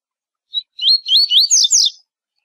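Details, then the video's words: Double-collared seedeater tutor song in the tui tui zel zel style, used to train young birds for tournaments: a short opening note, then a run of rising slurred whistles, closing with two higher, buzzier phrases. "Tui Tui Zel Zel Para TORNEIO Encarte Seu Coleiro"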